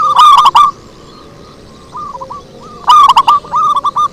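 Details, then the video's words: Lure song of a zebra dove, given as two bursts of rapid, rolling coos, loud and somewhat distorted, separated by softer, spaced cooing notes, with little else audible. "Suara Merdu PIKAT PERKUTUT"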